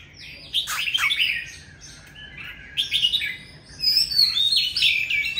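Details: Loud song of an old forest Oriental magpie-robin: clustered whistles and chattering notes in three bursts separated by short pauses, ending in clear high whistles.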